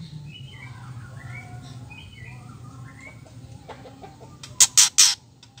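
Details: Female White-rumped shama call meant to excite males into singing: soft scattered whistles over a faint background hiss, ending in three loud, scratchy rattling bursts.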